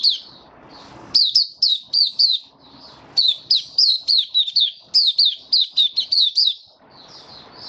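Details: Kept white-eye in warm humid weather, 23 March 2022, delivering bright, high, downslurred chirps in rapid bursts of about eight notes, separated by short pauses. Soft hiss fills the gaps.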